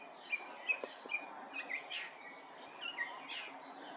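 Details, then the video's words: Song thrush singing: a quiet sequence of short, clear whistled and chirping notes, some phrases given again in turn, against a soft hiss of background noise. "Énekes rigó / Song Thrush"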